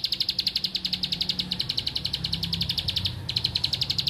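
A Bar-winged Prinia gives a fast, high, metallic run of ticking notes, about six a second, pausing briefly before resuming over a low background rumble.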